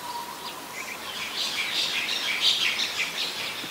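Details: Oriental magpie-robin, a very common resident, singing in Ubon Ratchathani, Thailand, on 17 November 2021; a varied run of high whistles and chirps builds after a faint opening tone, with steady background hiss.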